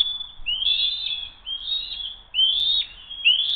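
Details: Eagles at a nest during an attempted food steal, one young eagle keeping the food after a brief scuffle, 07-02-2023 around 12:10; high whistled calls with rising slurred starts, about one each second, over low steady hum.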